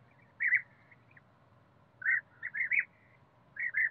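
European bee-eater giving short, rolling, liquid 'prruip' calls in brief bursts, a single note then a quick run of three, over a quiet low hum.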